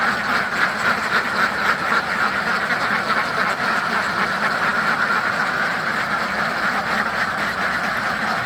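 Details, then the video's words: Farm ducks quacking loudly, a dense crowd whose harsh nasal quacks overlap into a continuous rough wash with no quiet gaps, slight pulsing several times a second throughout. "DUCKS FARM DUCK DUCKS QUACKING LOUDLY SOUND"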